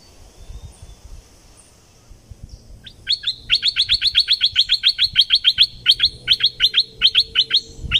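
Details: Bulbul from southern Thailand, a recording for exciting birds for trapping: after faint chirps, a fast, even run of high, sharp notes repeated several times per second for about five seconds.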